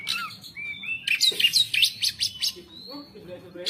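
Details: White-rumped shama, a caged bird, in varied song with sharp repeated 'pletik' notes: a burst of high chattering chips mid-clip framed by short whistled phrases and a low steady hum beneath.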